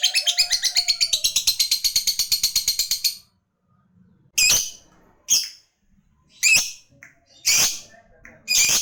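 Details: Lovebird in full voice, calling a rival with the long ngekek chatter: about three seconds of a rapid, steady, high buzzy trill, then a pause followed by five separate sharp, harsh high shrieks spaced about a second apart.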